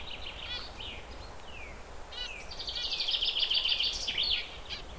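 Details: Perched zebra finches giving dense, buzzy harmonic chirps with a few descending whistled notes, then a rapid run of stacked nasal notes in the middle; steady background hiss.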